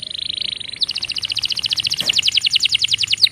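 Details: Canary giving quick warning sounds as trills: a steady buzzy tone for under a second, then a fast, even series of clipped double notes repeated to the end, with faint background hiss.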